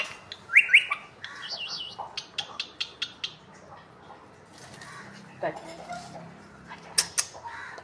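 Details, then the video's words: Pet talking parrot chattering indoors with a rapid series of short, sharp high chirps and clicks, a wavering squeaky whistle early on, and brief rough squawks, with a faint low murmur underneath. "talking parrot"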